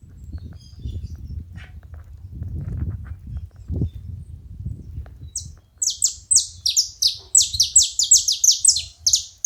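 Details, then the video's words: Saffron finch at a feeder, low rumbling noise first, then from mid-clip a rapid, crowded run of high, down-slurred chirps. "Canário da terra fazendo barulho na seva"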